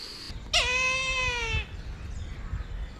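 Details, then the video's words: Brahminy kite call: one loud, high, wailing mew that starts sharply and slowly falls in pitch over about a second, with low rumbling noise in the background. "Brahminy Kite Bird Call"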